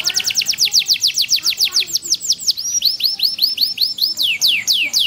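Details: Small canary in full song, its typical cengkok phrasing made for catching judges' attention at contests: rapid rolling trills of sweeping high notes that shift pace and pattern, first quick and dense, then slower, more spaced slurred notes.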